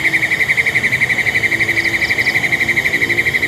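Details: In West Malaysia at Taman TAR, Congkak, 2022, a black-and-yellow broadbill delivers a regular fast trill, about four pulses each second, even and sustained, with faint higher chirps from other birds behind.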